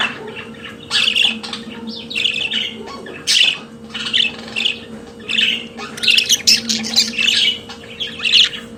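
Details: Pet budgerigars singing with a busy stream of chattering squawks, buzzy trills and short chirps, packed phrases with brief pauses, over a faint steady hum.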